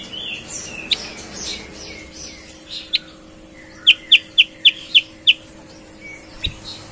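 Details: A vocal sooty-headed bulbul with a clear voice said to resemble a greater green leafbird sings bright chirps, ending in a quick run of six sharp, evenly spaced notes, over faint steady hum.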